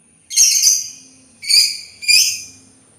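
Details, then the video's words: Sultan tit calling three harsh, scratchy, high-pitched bursts in quick succession, the first longest and made of two joined parts. "suara burung labet Sultan"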